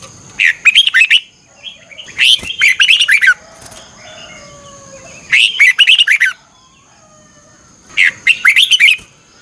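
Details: Morning training song of a red-whiskered bulbul in the fiery 'chè căng lửa' style, double-twist voice: four loud bursts of fast warbling notes, each around a second, spaced by quiet gaps with faint whistles.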